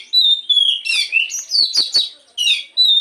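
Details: A morning lure song of the Oriental magpie-robin to spur birds into singing: a long pure whistle drops into fast, ringing warbled phrases, with clicks between notes.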